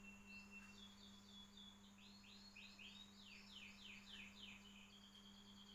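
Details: White-rumped shama song used as a training recording for other birds: a long, level whistle, then a rapid series of sweeping, down-slurred whistled notes and a closing steady trill, over a constant low electrical hum.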